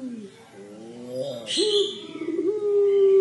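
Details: Puter pelung dove's crying coo: soft gliding notes, then a brief breathy hiss, then a long, level, moaning tone that grows steadier toward the end.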